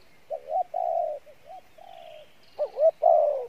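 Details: Field-caught spotted dove using the Pha Bài Lối cooing style. Softer broken coos build into a louder ending, with a hooked double note and a long falling coo.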